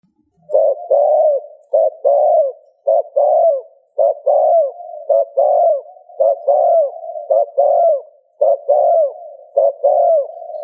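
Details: Spotted dove cooing, a recording played to prompt another dove to coo: short husky two-part coos, a brief note then a longer falling one, repeated about once a second over a steady low hum.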